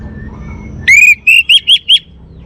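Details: An orange-headed thrush gives a short phrase: one drawn-out, slightly rising whistle, then four quick, bright whistled notes at a steady pace, each bending upward, in a quiet setting with only a low rumble underneath.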